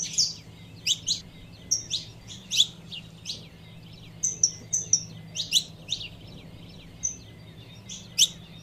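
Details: Saffron finch female calling to warm up a male bird: dense series of sharp chips and a few level whistled notes, fairly quick and irregular, over low hum.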